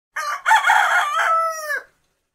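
A rooster gives a single crow: a short opening note, then a long, rough, drawn-out note that ends with a falling tail. No other sounds are heard.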